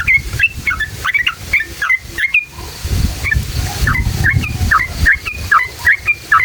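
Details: Yellow-vented bulbul in long rolling ngalas-style song, used to provoke other bulbuls into singing: bubbly liquid notes repeated in quick succession, over low rumbling background noise.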